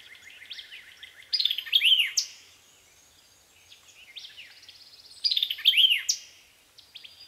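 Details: A White-eyed Vireo at Land Between the Lakes, Kentucky, in 2010 sings two quick, emphatic phrases of sharp chips and slurred whistles, about four seconds apart, with soft background chatter between them.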